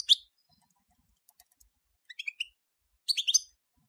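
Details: A European goldfinch of the Major form gives sparse bursts of sharp chirps and twittering notes, spaced by silences, with faint soft ticks between them.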